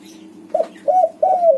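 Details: Close spotted dove of white colouring singing to stir other doves into song: three wavering coos, the last longest and sliding gently down, against a constant low hum.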